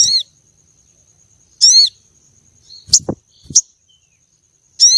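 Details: Female common iora call used to arouse a contest male: three buzzy, harmonic, down-slurred notes spaced well apart, with two sharp high chips and low knocking sounds in between.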